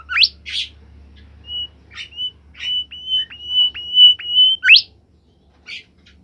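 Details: Bimoli bird kept in a cage, in full song: sharp upward-sweeping whistles and scratchy bursts, then a run of high level whistles broken by quick downward flicks, ending in another rising sweep, with quiet gaps and a faint hum.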